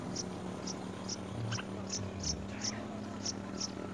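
Yellow-vented bulbul chick giving thin, high chips about twice a second while begging, over a steady low hum of background noise.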